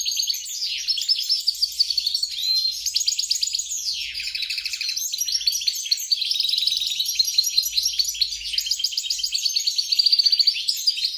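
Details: A European goldfinch × grey-crowned goldfinch hybrid (mule) sings a long, unbroken tumbling twitter of high liquid notes, rapid trills and buzzy phrases, with no other sounds.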